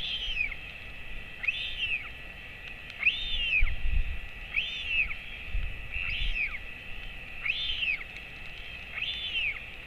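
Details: Royal albatross chick, 217 days old, being fed by its father at the colony, late morning 28 August 2024; seven bowed, whistled calls follow at a steady pace over gusty low wind rumble.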